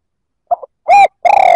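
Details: Spotted dove call meant to stir rival males: a soft stuttered opening, a steady mid-pitched coo, then the start of a long quavering coo that is cut off.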